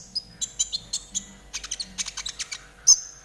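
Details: Konin in trotol style, used to train caged birds: a quick string of high chirps and clicks that speeds into a dense rattle, ending in one loud piercing whistle.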